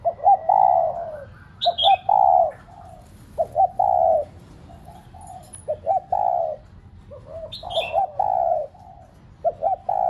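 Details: A spotted dove serving as a decoy to make pet doves coo calls in loud, low phrases. Short stuttering notes are followed by a long falling coo, repeated roughly every two seconds. Occasional higher chirps come from another bird.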